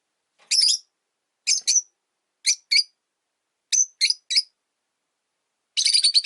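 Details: Three Rosy-faced lovebirds newly housed in one cage by a window: shrill chirps in spaced pairs, ending in a dense rapid chatter of overlapping notes.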